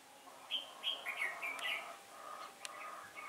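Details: Red-whiskered bulbul used as a decoy to lure wild birds into a trap, 15 October 2017, a day of changing wind. It sings a run of clear, fluty, slightly descending whistled notes, followed by a low hum and a sharp click.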